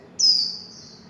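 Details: A single high, sweet note from a warbling white-eye in the líu chòe singing style. It is bright at the start and slowly falls and fades, with no other noise.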